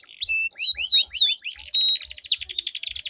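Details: Canary duel song meant to prompt stalled canaries into long rolling song: a run of descending whistled swoops repeated about five times a second, giving way to dense rapid chattering trills, with faint low thumps.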